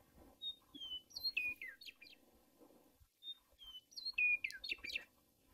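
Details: Western Meadowlark (Sturnella neglecta) in Montana sings two flutelike phrases, each opening with a few clear high whistles and tumbling into a quick, bubbly, descending warble, about three seconds apart.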